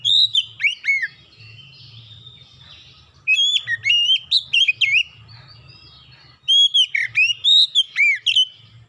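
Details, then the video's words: Oriental magpie-robin singing, played as a lure to prompt other birds to sing: three bursts of loud, clear whistles with quick downslurred and upswept notes, phrases repeated every three seconds or so, over a faint low hum. "PANCINGAN KACER LANGSUNG GACOR NGEPLONG NGOTOT BONGKAR MATERI ISIAN"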